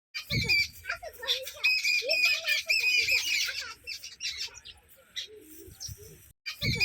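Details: A group of sparrows chirping on a red floor: dense, overlapping high bright chirps and twitters in rapid, irregular bursts, with lower murmuring sounds and a few short thumps underneath, briefly pausing near the end.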